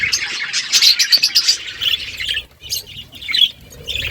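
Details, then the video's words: Budgies chirping in the morning, quick sharp tweets in a fast run at first, then scattered high chirps and short warbles. "Budgies sounds in the morning"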